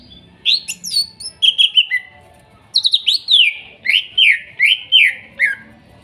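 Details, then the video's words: Therapy song of a forest-caught greater green leafbird, Kuningan, trotol and nopeng stage, for birds gone quiet: two phrases of loud whistled downslurs, the second a regular series of about seven sliding notes. "TERAPI CUCAK IJO MACET BUNYI BAHAN HUTAN KUNINGAN TROTOL DAN NOPENG"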